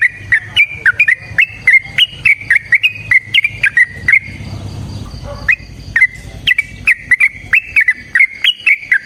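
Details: Fighting song of a yellow-vented bulbul in long 'ropel' style, meant to trigger other bulbuls: rapid chains of rich, bubbly whistled notes, a roughly one-second break, then the same chattering phrases again.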